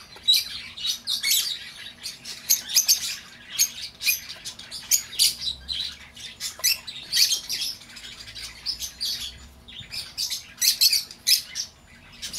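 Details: Lovebird sounds used to coax a lost bird back: steady, busy, shrill twittering and clipped squawks in repeated bursts with brief pauses, continuing throughout at a fairly even loudness.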